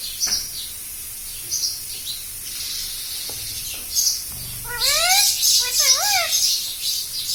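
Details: Talking pet parrot, said to say mummy, papa and radhe radhe; after scattered faint clicks, two strong voice-like phrases with swooping, wavy harmonics come in the second half, over constant high-pitched hiss.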